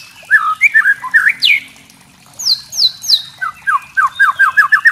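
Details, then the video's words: White-rumped shama (murai trotol) kretekan used to provoke other shamas: hooked whistled notes, a short silence, then high fast downslurred notes and a rapid repeated series of lower chipping whistles. "kretekan murai trotol"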